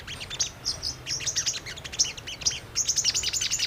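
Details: Brown-throated sunbird song used as a lure to get birds singing and responding: quick, high, sharp chirps and twitters in short clustered bursts, steady low hum beneath.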